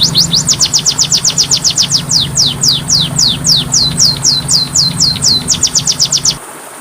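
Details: Oriental magpie-robin (kacer) song from a masteran training recording: a fast series of high, downward-swept whistled notes, about four per second, running for six seconds before stopping, over a steady low hum.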